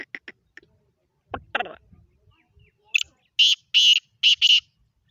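A black francolin gives a loud, harsh, grating phrase of five rasping notes in quick, uneven rhythm, after some clicks and a brief rustle.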